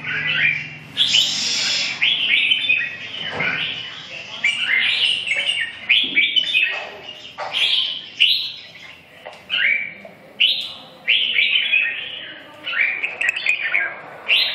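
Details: Red-whiskered bulbul delivering repeated bright, bubbling whistled phrases, each about a second long and separated by short pauses, with a soft low rumble early on.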